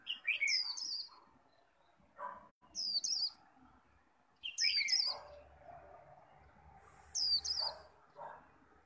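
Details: Japanese white-eye in a cage, pushing out líu contest song to challenge a rival: short high twittered phrases about every two seconds, answered by lower chirps and soft background calls.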